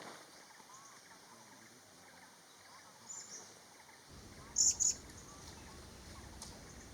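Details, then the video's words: A small Thai parrot, the vernal hanging parrot, pairing and nesting at Kaeng Krachan National Park, Thailand. It gives one sharp, very high two-note "si-sip" call over a quiet forest hum. "นกหกเล็กปากแดงและเสียงร้อง Vernal Hanging parrot Sound"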